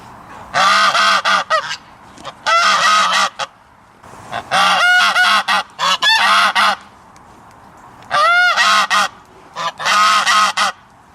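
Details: Goose calling repeatedly with loud, coarse nasal honks in bursts of two or three, separated by pauses of about a second, several notes rising into squeaky, strained tones.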